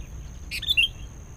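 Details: Sooty-headed bulbul, a wild bird being lured: one short burst with a brief bubbly two-part phrase of warbled notes, over a low background rumble.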